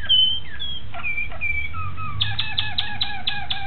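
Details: Malinois Waterslager canary recorded on 26 October 2012: long gliding whistles that drop in pitch, followed by a fast, regular series of sharp pulsed notes.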